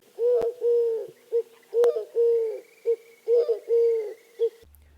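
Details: Eurasian collared-dove, a common spring backyard bird in Arizona's deserts, gives its hollow three-part short-long-short coo three times with brief pauses; a faint high whine and two sharp clicks occur.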